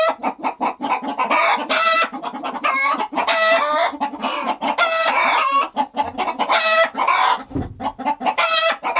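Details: Hen calling right after laying an egg: a busy run of quick clucks broken by several loud, ringing, nasal squawks, repeated about every two seconds.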